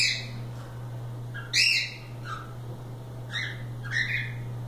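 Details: Pet cockatiels loose and playing: a few short harsh squawks and chirps stand out at irregular intervals against a quiet room and a steady low hum.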